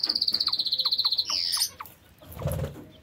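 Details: Aviary lovebirds give a rapid series of about fifteen high, sharp chirps in quick succession, followed by a buzzy squawk and some rustling.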